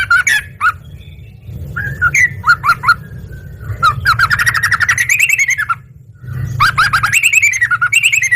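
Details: Yellow-vented bulbul in full song, responding at once: loud bursts of liquid chattering phrases, some long rising-and-falling runs, separated by brief pauses, with a low hum throughout.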